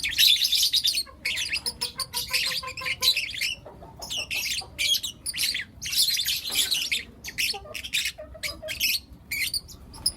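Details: Morning chirping from four young lutino lovebirds, a near-continuous stream of shrill, scratchy chirps and squeaks, loudest in the first second, with brief gaps and a soft background hum.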